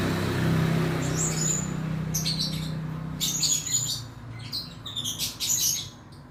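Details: Male blue-crowned hanging parrot, a bird used as a song tutor and in contests, giving rapid clusters of shrill high chips and short whistles in the second half, after a stretch of steady low hum.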